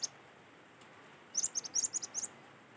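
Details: Natural-sound cinereous tit song used as a lure: a single fast run of about seven high, clear, piping notes at an even rhythm, after a brief quiet start.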